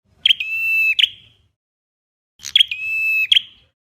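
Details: Two drawn-out, level whistles from a red-headed flowerpecker, used as a trapping lure, each lasting under a second with sharp clicky notes at the start and end, about two seconds apart.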